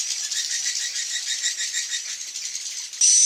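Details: Edible-nest swiftlet calls used as a lure for evening roosting: a dense, rapid train of high rasping chirps pulsing several times a second, with a sharp high whistle-like tone at the very end.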